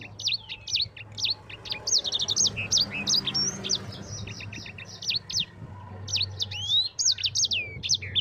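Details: Sanger, the yellow-fronted canary, pouring out an unbroken rolling ngerol song for tutoring other songbirds: dense sequences of quick high chirps and looping whistled slurs over a low steady hum.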